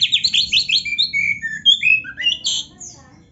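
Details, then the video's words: Oriental magpie-robin masteran song, played at home daily to raise fighting mentality: fast opening string of chipping notes, then clear gliding whistles and higher squeaky phrases that taper off into quiet. "KACER GACOR MASTERAN KACER ISIAN MEWAH"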